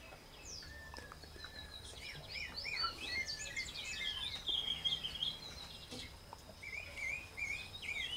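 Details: Double-collared seedeater (Sporophila caerulescens), call.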